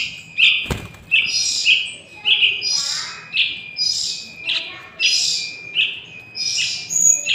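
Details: A young wild Yellow-vented Bulbul, recorded for use as a lure, gives harsh, high chirps in a steady series, about one every two-thirds of a second, with a single dull thump near the start.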